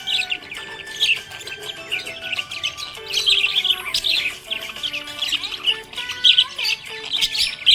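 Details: Happy budgerigar chirping: a dense, busy chatter of quick high chirps and warbles, overlapping without pause, rising in bursts around the third and sixth seconds, over steady lower sustained tones like background music.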